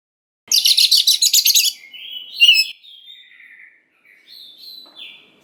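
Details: Oriental magpie-robin lure song for stirring young wild birds to respond. Around ten rapid harsh rasps are followed by whistled, slurred notes and softer trailing whistles that drift downward.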